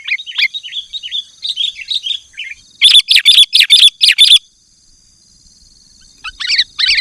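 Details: Sooty-headed bulbul singing loud, dense 'gacor' song meant to lure wild bulbuls and provoke rivals: bubbly whistled warbling phrases, then a rapid burst of harsh, buzzy notes, and a final short chattering outburst.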